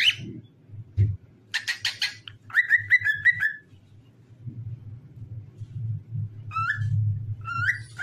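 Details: Cockatiel song meant to get other cockatiels singing: buzzy chirps give way to a string of short whistled notes, then a few rising whistles with a low hum underneath.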